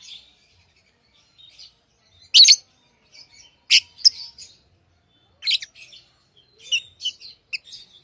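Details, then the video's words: Tame lovebirds giving loud harsh chirps in irregular bursts, mixed with quieter high twitters and short whistled notes. "Love birds Sounds | lovebirds chirping sounds"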